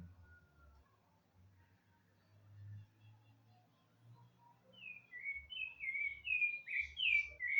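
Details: Song of a rufous-bellied thrush arriving after several quiet seconds of low background rumble: a string of short whistled, slurred phrases building in loudness toward the end.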